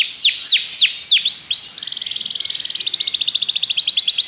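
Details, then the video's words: Belgian canary singing to coax other canaries into song during training: five loud downward-sweeping whistles, then a rapid, steady high trill of clipped notes that runs to the end. "Canário belga seduz todos os canários para cantar - treinamento de canário"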